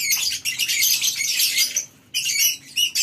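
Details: Farm-kept lovebirds in a colony cage during the morning, a burst of dense, high squeaky chatter that drops to near quiet around two seconds before the birds start up again.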